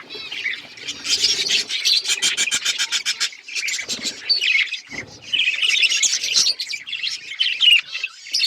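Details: Pet budgerigars chirping together in a dense, overlapping chatter of high twittering notes. Runs of rapid, even clicks and short squawky bursts come through, with the calls barely pausing.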